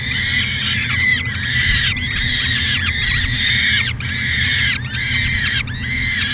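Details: Peregrine falcon filmed by nest camera at the University of Alberta, Edmonton, Canada, in 2017, calling insistently: raspy, wailing notes about once a second for several seconds, separated by brief pauses, against steady low mechanical hum.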